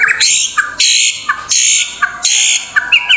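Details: A white-rumped shama (murai batu) in Indonesia sings loud, harsh rasping bursts about every three-quarters of a second, each followed by a short, clear whistled note.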